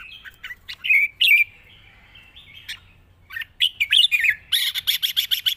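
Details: Red-whiskered bulbul singing a wild-style song with long, light-voiced phrases: bright warbled whistles sliding between high notes, a pause, then a quick run of rapid chirpy notes at the end over a faint low hum.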